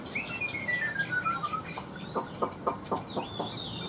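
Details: A captive, fairly tame Chinese hwamei sings indoors on an overcast, rainy afternoon, singing almost nonstop: a long falling whistled slur, then a quick run of high, sharp repeated notes about four a second, over a steady faint hiss.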